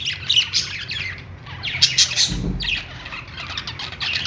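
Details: Several budgerigars singing on a perch, a dense stream of high, scratchy chirps and squawky warbles in bursts, with a brief low thump near the middle and steady low rumble underneath.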